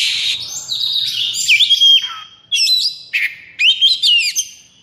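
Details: Kacer in 'konslet' high breeding condition; opening long high whistled tone, then swooping clear notes and several dense bursts of rapid rising and falling whistles.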